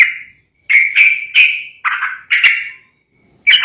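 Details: Sooty-headed bulbul in agitated song said to make rival birds sing at once; a handful of loud, slurred whistled notes, some dropping in pitch, spaced about half a second apart with gaps.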